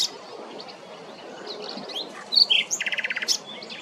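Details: A common nightingale in Parque Regional de las Islillas, recorded 26 April 2024, gives a couple of high, clear whistled notes, then a rapid, even run of about ten rich repeated notes over a soft background hiss.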